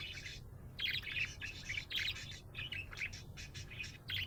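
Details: Happy budgerigar chirping, a dense stream of rapid twittering and chattering notes with clicks, repeated in short clusters, low hum underneath.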